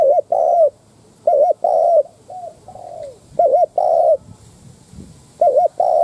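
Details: Spotted dove decoy cooing in the 'đất thúc' style to goad wild doves: loud wavering double notes each followed by a long hoot, separated by softer trailing coos, repeated several times.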